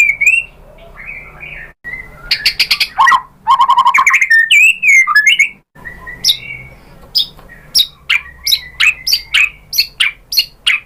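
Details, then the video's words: White-rumped shama song aimed at prompting other shamas to reply; varied fluting whistles and scratchy bursts, a fast rattling trill, then sharp whistled notes repeated roughly every half second. "SUARA MURAI BATU bikin BUNYI jadi NYAUT GACOR"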